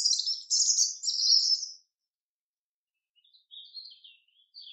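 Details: In a forest, a chaffinch gives a bright, rattling phrase of quick high notes lasting under two seconds. After a pause come softer, lower chirps, possibly a second bird.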